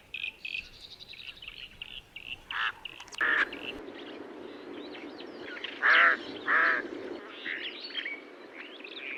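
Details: Somali crow (Corvus edithae) gives three harsh, hoarse caws, one alone and then a quick pair, over steady high chirping from small birds.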